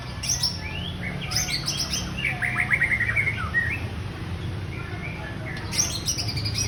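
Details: Female white-rumped shama, Jomin type, singing: bursts of sharp high chips, then a run of quick warbled notes and short whistles in the middle, over steady low rumbling background noise.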